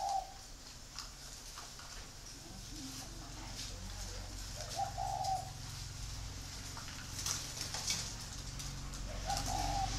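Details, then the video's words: Spotted doves raised free-range for breeding near Hanoi coo three times, each a short, low, mellow phrase, above a humming low background and faint rustling. "chim cu gáy nuôi sinh sản thả rông"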